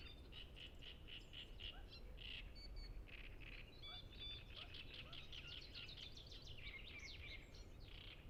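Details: Several great reed warblers sing in the Ema-Joe Suursoo reserve on Lake Peipus shores. A run of evenly repeated harsh notes opens, followed by varied chattering and squeaky phrases above a low rumbling background. Recorded with Zoom F6 and Sennheiser MKH 8040.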